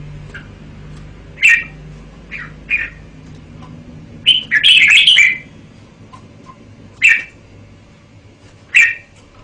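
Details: Red-whiskered bulbul calling in sparse, clear chirps, one dense rollicking phrase midway, then single bright notes about every two seconds.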